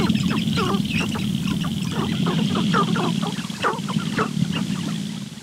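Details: Morning lek of sharp-tailed grouse with males displaying intensely to a visiting female, captured on a Rode microphone; many rapid overlapping clucks and chattering notes from several birds above a constant low hum.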